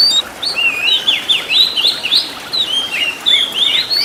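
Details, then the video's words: Oriental magpie-robin master recording used to train caged birds, rich in 'isian' fill-in phrases: a continuous run of fluid, warbling whistled notes that swoop up and down, with slurred rising ends. "MASTERAN BURUNG KACER FULL ISIAN TEMBAKAN MEWAH LENGKAP"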